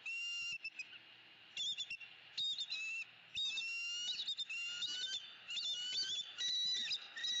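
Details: Pair of eagles perched in the upper branches of their nest tree in the afternoon, voicing loud disapproval at crows stopping at the nest; repeated high, thin, chittering whistled notes in bursts, over a steady insect-like hiss.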